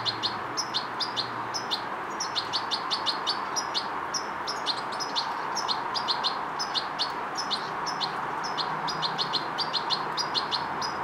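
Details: European goldfinch fledgling practising motor control and coordination, calling insistently for about eleven seconds, a fast stream of short, piercing high chirps, with an even hiss throughout.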